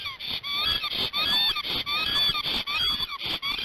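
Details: Male Black stork on the nest at Gemenc, Hungary, 15 March 2019 around 12:30, excited and guarding it after the female flew off. Continuous bright, curving whistles, several pitches at once, broken by short clicks.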